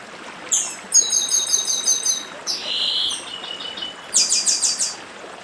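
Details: Chestnut-bellied seed finch from northeastern Brazil singing: a sharp high note, then a fast string of bright, buzzy repeated descending notes, a broad buzzy phrase, and another rapid trill, over a steady hiss of stream water.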